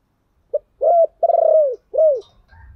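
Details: A lure-calling spotted dove gives one full phrase: a short note, a flat coo, a long pulsed coo that sags in pitch, then a clear arched coo. Faint low rumbling follows at the end.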